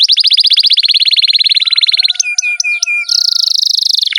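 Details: Canary in long 'ngerol' rolling song, a lure to get other canaries singing: a rapid even series of clipped notes running two seconds, a few sweeping whistled slides, then a high fast buzzing roll.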